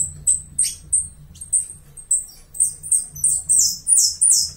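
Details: Saffron finch, Uruguay, opening with spaced sharp high chips that quicken and build into a rush of bright downslurred sweeps at the end.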